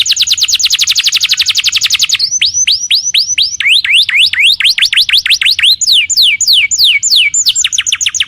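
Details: Canary in lively song, used to provoke another canary to answer: a fast high trill, then long sequences of loud downward-sweeping whistles repeated about four times a second, with a faint low hum.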